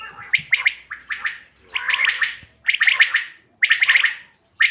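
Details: Hunting recording of a common quail dated 5 June 2025: quick triple bursts of sharp, ringing notes preceded by low grating sounds, the phrases spaced roughly a second apart in otherwise quiet surroundings.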